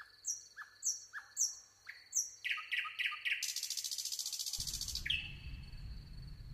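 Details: Nightingale singing: rising slurred notes repeated about once per second, then a fast run of sharp repeated notes into a dense buzzing trill, ending on a sustained high whistle over low rumbling background.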